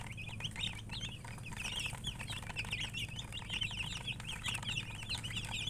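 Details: Crowd of chicks chirping without pause, rapid bright peeps tumbling over one another, some slurred up and some down, backed by a constant low droning hum.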